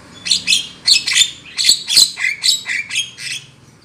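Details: Harsh, scratchy squawks from a Black-winged myna, used as a lure call for trapping, given in an uneven run of about nine notes, some ending in short downslurred whistles.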